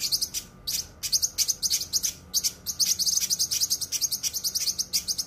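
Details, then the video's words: Cucak kinoi singing a tight, sharp masteran song for training cage birds: piercing high chirps in short ticking bursts, a few quick pauses, then a long rapid run of chirps. "suara masteran cucak kinoi full suara rapat tajam"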